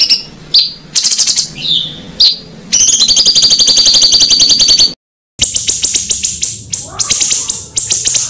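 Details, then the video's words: Rough, rolling songbird master for contest bird training: varied high chips and slurred whistles run into a long, dense, harsh rattling trill, then a sharp, fast, high chattering series. "BURUNG MASTERAN KASARAN NGEROLL || MASTERAN MEWAH UNTUK ISIAN BURUNG LOMBA"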